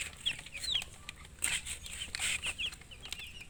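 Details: Chicks peeping more softly amid louder scuffling and rustling noises, scattered thin high cheeps appearing between bursts of handling sounds.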